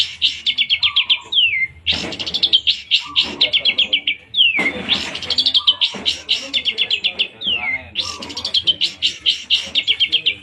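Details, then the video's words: Long-tailed shrike song: fast rhythmic series of harsh high chattering notes, about four per second, broken by descending slurred whistles, with a lower warbled phrase beneath and faint background noise. "tembakan kunti#pentetmania #cendet"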